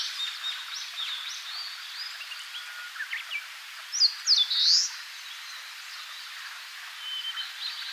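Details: Eastern crowned warbler in Tainai, Japan, giving one song phrase: a couple of sharp high notes running into a rising buzzy ending, heard as 'chiyo chiyo bii', with soft distant chirps and hiss around it.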